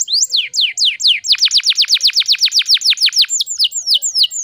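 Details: Canary singing in lively gacor fashion, used as a lure for canaries that have fallen silent: long steady series of sharp downward-sweeping whistled notes, about five per second, slowing slightly near the end.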